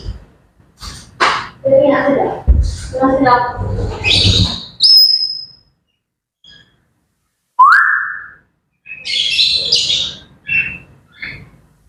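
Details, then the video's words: Grey parrots' morning chatter: a run of talk-like, wavering harmonic babble, then a sharp high whistle, a rising whistled swoop after a silence, and more rough squawks and chirps to close. "Grey Parrots Chattering and Bird Sounds to Wake Up to"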